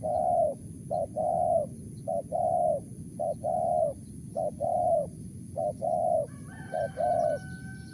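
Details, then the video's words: Wild spotted dove giving its crisp 'mersik' coo: a steady run of short-then-long mellow cooing phrases roughly once a second, with a brief whistled note from another bird near the end and constant low background rumble. "BL suara Mersik//Tukang Keliling//Aren4 Laman"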